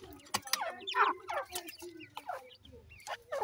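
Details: Several grey francolin chicks peeping close by: quick, sharp, falling chirps in rapid bursts, some notes louder and buzzier, with a steady low hum behind.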